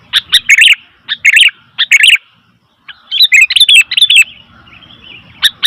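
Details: Sooty-headed bulbul giving noisy calls: loud bursts of chattering, warbled notes in quick clusters separated by short pauses, with faint low background noise.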